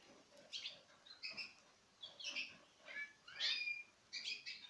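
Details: Citril finches, pairs from 2016 eating from the hand; short high chirping calls in small clusters, repeated about every second, with several birds calling.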